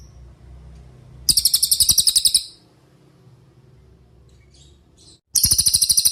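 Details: Cililin singing as master audio for training songbirds such as murai batu and cucak ijo: a one-second burst of rapid high pulsed notes, a quiet pause with faint low hum, then another fast trill starts.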